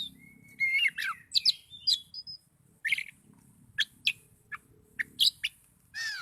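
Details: Agitated Oriental magpie-robin giving a long level whistle that breaks into slurred notes, then spaced sharp chip notes and a final drawn-out downward slurred whistle, with faint background hum.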